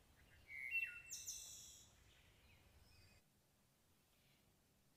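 A single Wood Thrush phrase: a few soft, low flutey notes, then a bright, ringing high trill lasting under a second, followed by quiet.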